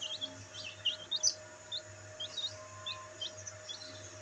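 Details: Several black bantam chicks enjoying sunlight, peeping in short high chirps, some rising and some falling, scattered several times a second over a low steady hum.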